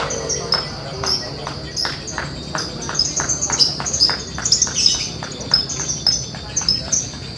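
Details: Lovebirds in the adult class at a singing competition held for a bird-contest arena's grand opening in Putat Kidul, recorded on a phone with a clip-on mic; shrill, high chirps and rapid twittering bursts with sharp clicks every half second, faint voices behind.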